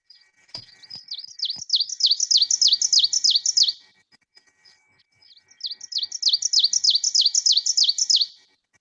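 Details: An Ovenbird, a forest-floor nester, sings its ringing 'teacher, teacher' song in two bouts of about ten two-note phrases each, building steadily louder, over a faint steady hum.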